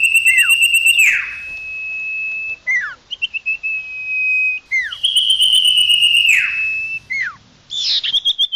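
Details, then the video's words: Common iora lure call for attracting wild birds: long, clear, level whistles ending in steep downslurred notes, alternating with rapid chip series. Some whistles stretch over a second and a half, with short gaps between phrases. "Suara pikat burung Sirtu/Cipoh Suara jernih mantap"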